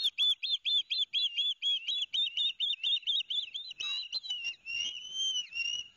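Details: Fish delivery by the father to two noisy osprey young at Barnegat Light, New Jersey, 13 September 2021. A fast series of high chirping whistles slows into a few longer, drawn-out slurred whistles at the end.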